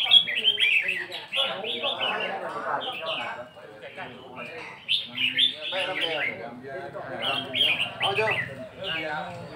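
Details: Red-whiskered bulbul song counted by phrases, heard as groups of sharp, sweet whistled notes separated by brief lulls, with faint music in the background.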